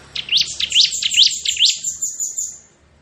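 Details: Bar-winged prinia, crystal ciblek type, singing in ngebren style: four sharp rising whistled notes about 2.4 per second over a thin high trill that fades out near the end.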